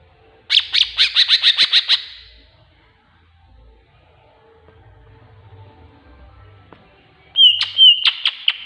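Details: Tengkek buto filler in the song of a greater green leafbird, a master recording for prompting birds to sing: a rapid burst of about ten raspy notes, a long quiet gap, then a clean whistle followed by sharp chirps.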